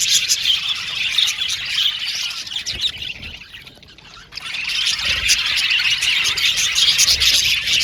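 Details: Budgerigar colony in an aviary, males of blue and violet colour, chattering in high chirps and squawks; the chorus thins out for about a second near the middle, then returns at full, dense strength.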